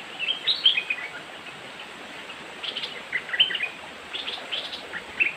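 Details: A young bulbul (merbah lekir, possibly white) gives short, bubbly chirping phrases in three quick bursts, bright and mid-high, with faint background hiss between.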